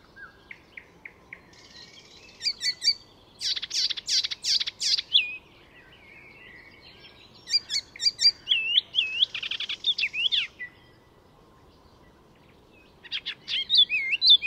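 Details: Icterine warbler singing at Fysingen, Sweden, weaving in borrowed sounds: scattered short ticks, a harsh chattering burst, then wavering whistled phrases, long pauses, and another chattery outburst at the end.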